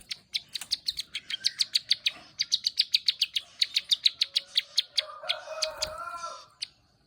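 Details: Prinia singing in the 'klik ngeriwik' style: a steady train of crisp, high clicking notes, about four each second, followed by a lower, harsher warbling phrase near the end.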